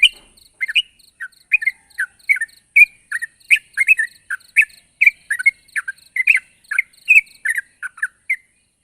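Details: A sooty-headed bulbul in full, chatty voice calls a rival with evenly paced, bubbly chirps and short slurred phrases, around two to three per second, in a quiet setting.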